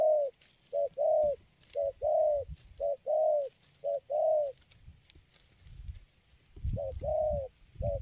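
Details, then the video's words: Spotted dove, used for luring, coos strongly and nonstop while approaching from afar: soft mellow notes in short-and-longer pairs about once a second, over low rumbling noise and a steady high insect hiss. "tekukur ini kuat nguku dari jauh mendekat nguku takberhenti,penguku selang gagap"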